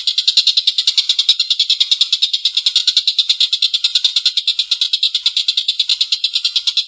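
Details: Collared kingfisher calling vigorously with a long, harsh laugh, a continuous series of raspy, buzzy pulses at a brisk, regular pace, used to train other cage birds.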